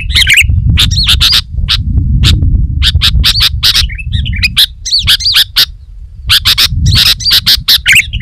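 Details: Sooty-headed bulbul calling densely and loudly to entice wild bulbuls: harsh chips mix with looping, slurred whistled phrases, continuous and busy, over a strong low background rumble.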